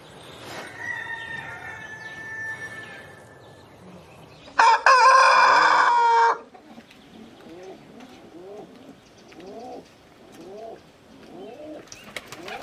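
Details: Faint distant crowing first, then a loud, bright rooster crow lasting about one and a half seconds. A run of soft, repeated, arched cooing calls from another bird follows, about once per second.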